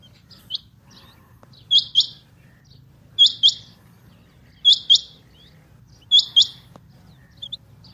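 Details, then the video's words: Female rain quail call, known locally as chinga batair: crisp doubled high-pitched notes, like a quick two-part whit-whit, recurring about every one and a half seconds against a soft, steady low hum. "Rain Quail Calling | Chinga Batair Ki Awaz| Female Rain Quail"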